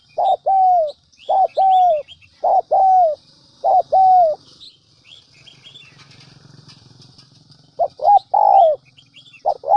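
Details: Decoy spotted dove, Central Highlands, Vietnam, giving rapid runs of short double coos followed by falling notes, then a quiet gap of about three seconds before cooing resumes; high chirps of other birds overhead.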